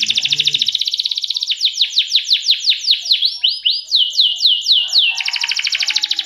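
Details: Energetic canary song opening with a fast, even, rattling trill, shifting into a series of sweeping slurred whistles about three per second, then returning to a rapid buzzy trill.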